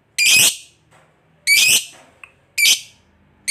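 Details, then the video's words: Lovebird calling to lure other lovebirds into song: loud, harsh, buzzy shrieks about every second and a quarter, with a faint chip between. "Lovebird Gacor Ngekek Panjang Ini AMPUH Memancing Lovebird apapun Jadi Fighter dan Rajin Bunyi"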